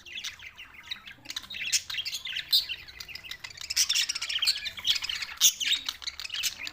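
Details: Budgerigar chatter from Larkana, Sindh, June 7, 2024: continuous fast chirping and scratchy warbles from several birds, growing livelier in the second half.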